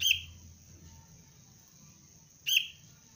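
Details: Young sooty-headed bulbul in basic training for bird-luring gives two sharp, short chirps about two and a half seconds apart, with a steady faint high whine and low rumble behind.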